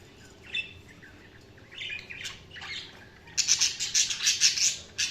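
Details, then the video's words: Budgerigars: a few soft, scattered chirps at first, then a loud burst of rapid, high, buzzy chattering that carries on to the end. "Budgies Sounds| Budgies Chirping sound"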